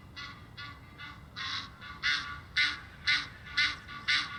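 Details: Egyptian geese exchanging honk and flight calls at Muizenberg, South Africa, recorded in May with a shotgun microphone; harsh nasal honks repeated about twice a second, quieter at first then growing louder and steadier.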